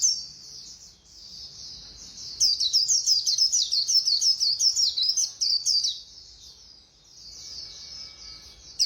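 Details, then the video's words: White-eye singing fast, in the Khuyên Líu style, with a rapid burst of high, twittering notes lasting about three and a half seconds. Quieter continuous high warbling runs under it before and after. "Khuyên Líu Hay _ Mau Mỏ _Tốc Độ _Tiếng chim Khuyên Líu"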